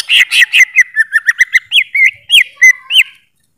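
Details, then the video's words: Greater green leafbird delivering a lively whistled song. Quick chirps lead into looping up-and-down slurred notes, each about a third of a second apart, then fade out. "Suara Burung Cucak ijo"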